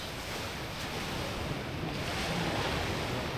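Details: Ocean surf and wind roar at the shore of Gold Harbour, South Georgia, as continuous broadband hiss without clear animal calls.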